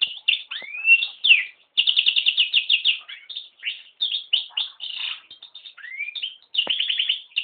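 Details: Yellow-rumped serin (Serinus atrogularis) crossed with a canary sings a fast, continuous high warble of rapid trilled bursts, with rising slurred whistles and brief pauses between phrases.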